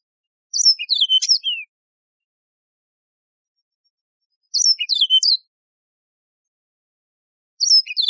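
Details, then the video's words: Yellow-fronted canary song: three similar short phrases of bright, high chirps and downslurred whistles, each lasting about a second and separated by pauses of a few seconds, with no other sounds. "شريط تغريد البسبوس الموزمبيقي"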